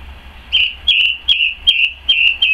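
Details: In a garden on 12 May 2014, a song thrush repeats a clear, slightly falling whistled note six times, about every 0.4 seconds, with crisp clicks between notes and a faint low hum.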